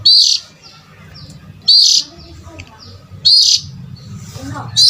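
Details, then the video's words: Lure call of the oriental magpie-robin for attracting adult birds. Bright, harsh, high chirps return steadily about every one and a half seconds above a soft, low background hum. "Pancing indukan burung kacer"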